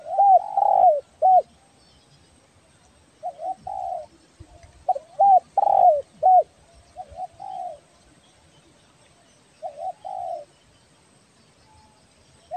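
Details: Spotted dove, tekukur belah dada from Kepri, in full voice for trapping lure use; repeated phrases of two to four mellow coos, short hooked notes and longer level ones, separated by gaps of one to two seconds.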